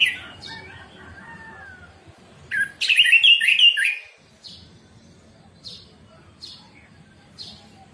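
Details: Orange-headed thrush morning 'ngeplong' song, recorded as training material for silent caged birds: soft warbling, then a loud dense second-long burst of twisting whistled notes, followed by single sharp chips at intervals of about one second.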